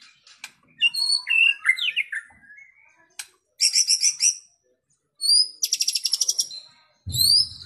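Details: A white-rumped shama sings loud, varied phrases of rich whistles, rapid buzzy trills and sharp high notes in bursts with short pauses, a master song meant to excite other shamas into singing.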